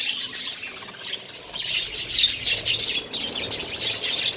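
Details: Budgerigar colony with colourful chicks sharing a nest; quick repeated high chirps and twittering in clustered bursts, overlapping calls from several birds.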